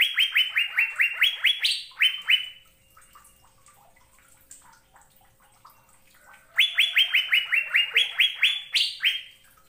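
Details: Asian fairy-bluebird masteran song for prompting caged birds to sing: two loud bursts of a dozen quick, ringing rising whistles with higher peaks near each burst's end, separated by about four seconds of faint chips.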